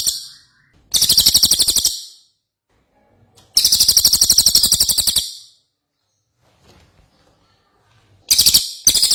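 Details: Ashy tailorbird singing energetically, three bursts of rapid, high buzzy chattering notes, each burst lasting one to two seconds and separated by silent pauses.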